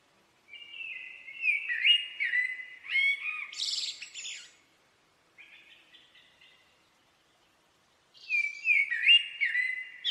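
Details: Common blackbird singing: several mellow, fluted whistled notes in a rolling phrase ending in a harsh, high screechy flourish, a soft squeaky twitter, a pause, then another fluty phrase.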